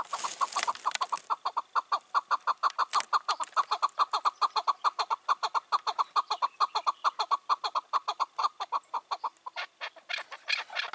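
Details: Wild chukar partridge, about five or six years old, dominant in its territory and silencing calling males, heard on an evening in June 2023: a long unbroken string of loud, rhythmic chuck notes, roughly two per second, throughout.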